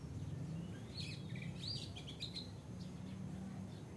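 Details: Oriental Magpie-Robin heard as a wake-up song: a burst of short whistled notes and slurred phrases in the middle seconds, fading into quieter scattered notes, with a constant low rumble underneath.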